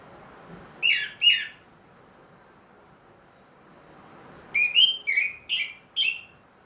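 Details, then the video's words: Ringed caged orange-headed thrush, recovered from moult, gives two loud whistled notes, pauses about three seconds, then a quick series of five rich whistled notes in the clear 'plong' style. "MERANGSANG ANIS MERAH BUNYI PLONG"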